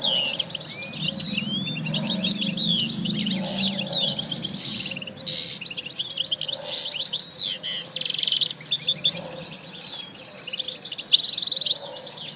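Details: European goldfinch singing: a dense, continuous run of bright, liquid twitters and quick rising and falling whistled notes, with tinkling trills packed tightly together throughout.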